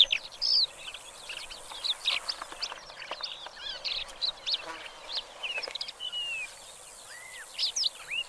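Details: Black lark song: a fast, unbroken stream of high chirps, trills and short slurred whistles, with a few clear downward-curving notes near the end, over faint open-air background noise.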